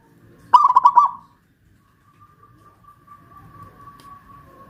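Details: Zebra dove, local Pajajaran type from Kuningan, West Java, caged and hoisted high: one loud rapid rolling phrase of clipped coos, followed by a thin steady whistle-like tone in the background.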